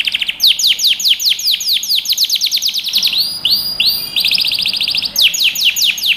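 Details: Canary song used to train young birds: a rapid series of sharp descending chirps, then a few longer upward-swelling notes, then back to quick falling chirps, all clear and close.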